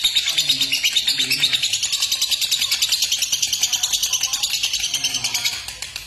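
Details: Lovebird chattering, used to provoke other lovebirds into singing: a dense, rapid run of high, harsh chirps pulsing several times a second without pause, with faint lower cooing notes near the start.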